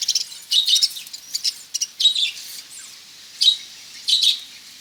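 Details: Several caged budgerigars in a breeding setup chirp and chatter in quick high bursts, clusters of scratchy twittering notes separated by short pauses.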